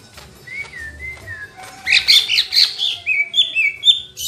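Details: Lesser green leafbird singing vigorously, a caged-bird master recording: soft slurred whistles near the start, then a loud burst of rapid, varied chirps and twittering notes, followed by repeated rising whistled phrases.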